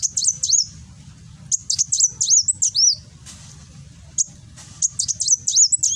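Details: High-pitched 'nembak' song of a Kolibri Wulung sunbird from Gresik, East Java, phone-recorded: repeated bursts of sharp, needle-thin chips and downslurred whistles, separated by brief quiet gaps, over faint low hum.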